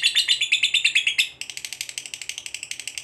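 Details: A rapid, unbroken 'ngekek' trill from a fighter lovebird, meant to rouse a rival's aggression; shrill notes pulse about seven times a second, shifting to a thinner, higher rattle partway through.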